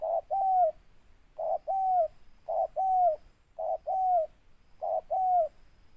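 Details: Local tekukur (spotted dove), big-voiced and raspy with 'tindan' notes, gives five clear two-part coos, a brief note then a longer bending one, spaced roughly every 1.2 seconds, with a steady faint high tone behind.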